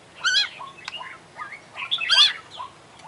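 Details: Oriental magpie-robin, an international contest winner, singing 'isian' fill-in material: harsh layered squawky notes, short slurred whistles and a loud, buzzy chattering burst.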